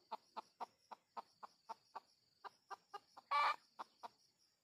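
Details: Rhythmic short clucks of red junglefowl during luring of wild junglefowl, around four per second with a brief pause, then one loud harsh burst and two last clucks; a steady insect buzz underlies everything.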